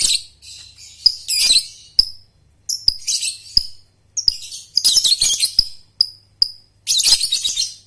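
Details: Lovebird trilling (ngekek), a recording used to train young birds to sing with tight spacing, heard as dense high buzzy rattling trills in bursts, broken by sharp single chips and short pauses.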